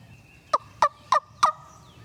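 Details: Wild turkey gobbler in Tennessee timbered ridge woodland, gobbling in answer to a hunter's call from across a creek: four sharp, rattling bursts in quick succession about a third of a second apart, with soft ambient hum behind.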